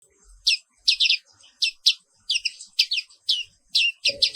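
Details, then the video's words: Black-capped white-eye, a Papuan pleci of the wiklus type, recorded in the morning: bright, high chirped phrases in quick bursts of two or three notes, spaced about half a second apart, with a faint low thump near the end. "Suara Terapi Pagi Pleci Papua Wiklus"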